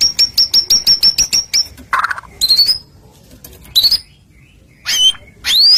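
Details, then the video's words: White-rumped shama lure song: a fast run of about ten identical high chips, a harsh rasp, then scattered sharp upslurred whistles separated by short pauses. "Putar sebentar burung murai apapun langsung ikut NYAUT"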